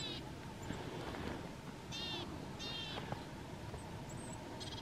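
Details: Marsh or willow tit singing loudly near a feeder on 31 January 2022: a few clear, nasal, evenly spaced notes with a rich ringing tone, some faint high squeaks, a steady low hum and rustling background.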